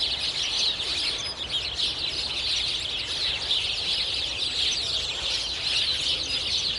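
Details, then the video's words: Sparrows on a street in spring: a dense, unbroken chorus of many overlapping bright chirps and twitters, forming a steady high chatter with no pauses. "Sparrows Spring Street Sound Effect"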